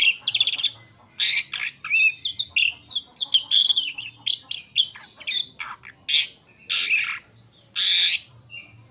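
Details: Lure song of an Asian pied starling, used to draw other birds: a long, varied string of chattering chirps, rising and falling whistles and harsh squeaks, with brief gaps between bursts.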